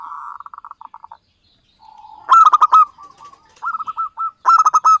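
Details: Local Javanese zebra dove, its song played as a trapping lure: a quick series of soft pulsed coos, a pause, then loud stuttering rolled phrases repeated in bursts.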